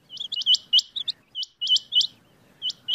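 Rain quail giving sharp, high metallic chirps in quick doubled and tripled bursts, about two to three groups a second, with brief pauses between.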